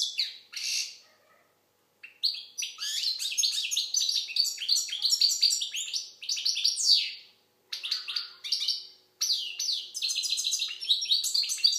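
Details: Goldfinch of Algeria singing continuously after an opening short burst: jangling, twittering notes mixed with buzzy trills and quick chirps, with a pause around seven seconds; otherwise a quiet background.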